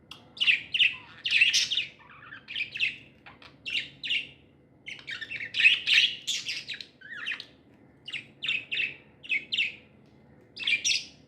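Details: Pet budgerigars in a cheerful chirping mood, lively bursts of high, scratchy chirps and warbled notes in irregular clusters with short gaps between them.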